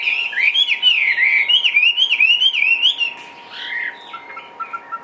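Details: Chinese hwamei in a cage, lively and hopping, delivers a strong, rolling song of looping whistled slurs. The whistles rise and fall in quick succession for three seconds, then come a few scattered shorter notes. A low steady hum is also heard.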